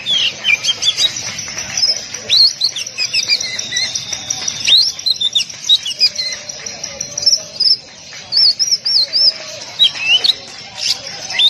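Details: Caged Oriental magpie-robin masteran recording, a tight-shot training song: busy stream of high whistles, quick upward flicks and looping trills, delivered in rapid bursts with brief gaps, plus a steady faint mid-pitched tone in the background.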